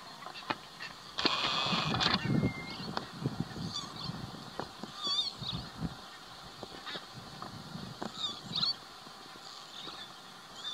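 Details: Flock of barnacle geese recorded in May 2020 at Waterland, the Netherlands, giving many short, overlapping yapping calls in an uneven stream, with a loud noisy burst near the start and a brief thin whistled note.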